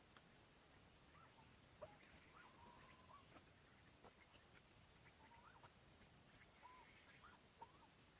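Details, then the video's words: Chestnut-bellied partridge, a pair in the wild: faint, short whistled notes near one pitch, some gently rising or falling, spread irregularly over several seconds above a steady high insect-like hiss. "Tingkah laku burung Puyuh gonggong jawa di alam"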